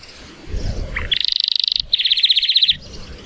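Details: Male Timbrado Español canary, 2018-born and rated 83 points, singing in sunshine. Two quick bursts of rapid rattling trill stand out over a soft low background rumble.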